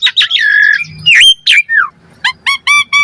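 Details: Asian pied starling song used to lure a response, a fast chattering phrase with a buzzy note, sliding whistles, then a series of five evenly spaced nasal notes.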